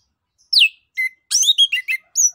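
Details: Orange-headed thrush delivering 'ngeplong' song as a lure for other songbirds: a sharp descending whistle, a short flat note, then a quick jumble of buzzy and slurred notes ending in a high clear whistle, with a quiet background.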